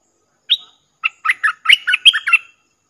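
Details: Streak-eared bulbul decoy bird, dated 03/06/2021, singing to lure wild birds: a short high note, then a burst of quick chattering, warbled notes rising and falling in a bright jumble, with no other sounds.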